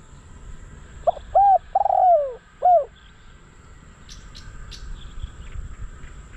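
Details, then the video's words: Decoy spotted dove for luring wild doves, giving one quieter coo phrase of short hooted notes and a long falling coo, with a few high chirps from other birds afterwards and steady background noise. "เสียงนกเขาใหญ่ นกต่อ"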